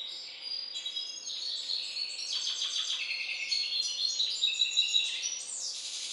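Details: Aviary-bred Balkan goldfinch hybrid sings lively high phrases: quick tinkling notes, a rapid stuttering trill midway, clear whistled tones and a final rising slur, all with a faint background hum.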